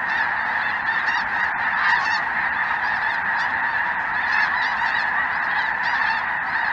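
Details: Mixed goose flock of Snow Geese, Greater White-fronted Geese and possibly Ross's Geese, southern Indiana, January 2023, cold afternoon; steady massed honking with frequent shrill, quavering yelps layered on top.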